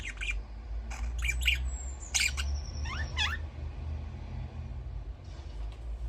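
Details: Budgerigar chirping in a noisy room, with bursts of harsh squawky chirps and quick rising whistled notes, plus one thin high whistle drawn out for about a second, over a loud low rumble.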